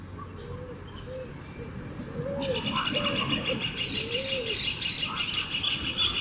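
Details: Wild, free-living Picazuro Pigeon, its song described as melodious and mournful: soft, low, arched cooing notes repeated in a short series, joined midway by a dense, loud buzzing insect chorus and a few high chirps.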